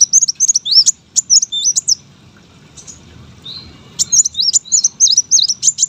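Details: Brown-throated sunbird, a contest songbird, singing two bursts of fast, high twisting whistles separated by a quieter pause with a single soft note; low hum throughout.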